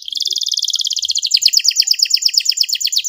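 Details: Master song of a canary, sung long and richly varied: a rapid high rattling trill that turns into stronger, slightly slower downward-slurred notes in steady succession, with faint low clicks in the background.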